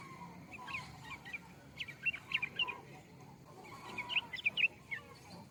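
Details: Yellow-vented bulbul with two bursts of rapid, gurgling warbled notes, the second louder and more bubbly, against a soft low background noise.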